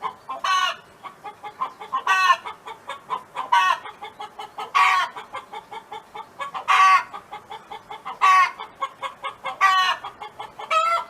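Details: A neighbour's hen sings on a farm: eight loud raspy notes recur at regular intervals, each followed by a string of gentle, quick clucks.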